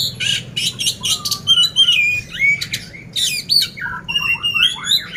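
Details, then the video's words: Contest-ready oriental magpie-robin (poci) from Magelang, Central Java, singing coarse-filled song: harsh scratchy bursts alternating with bright slurred whistles in rapid succession. "poci gacor isian kasar"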